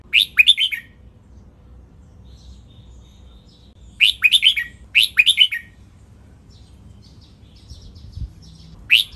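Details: Red-whiskered bulbul training song, doubled phrases counted at 23 notes: quick clear whistled bursts of four or five notes, spaced with long silent gaps, a pair of phrases arriving mid-clip and one more at the end.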